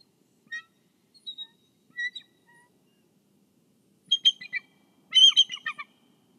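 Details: Bald eagle guarding the egg at its nest in Kisatchie National Forest, picked up by a nest camera: thin, high whistled chirps in short bursts, then faster chattering notes near the end.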